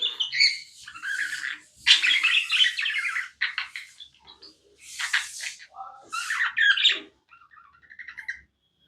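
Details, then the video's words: Tame budgerigar chirping without a break: warbled chirps and harsh, noisy squawk bursts in phrases of about a second, ending with softer, quieter twitters. "Non stop budgie chirping sounds"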